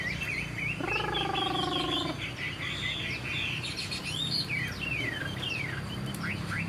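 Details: A young caged Chinese hwamei known as a strong singer whistles rapid, varied high phrases, while a low, nasal, buzzy sound lasting about a second cuts in near the start.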